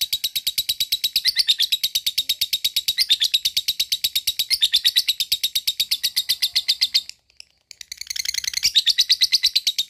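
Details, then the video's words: Long ngekek chatter from a lovebird, meant to excite other lovebirds into singing: rapid, even, high-pitched stuttering notes pouring out for about seven seconds, a short gap, then the trill starts again. "Pendongkrak mental lovebird cepat naik EMOSI dan langsung jadi ngekek panjang berkat lovebird ini"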